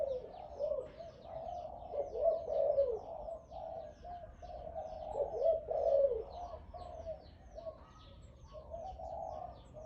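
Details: Malay-type dove kept for sale for its loud voice: a long stretch of repeated rolling coos, stronger in the first half and trailing off later, against steady background chirping of small birds.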